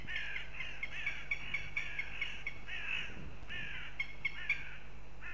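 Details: Northern goshawk at a nest in Riga, Latvia, giving rapid repeated sharp kek notes, about four per second, broken by a longer slurred wail, then resuming. A constant low electrical hum sits underneath.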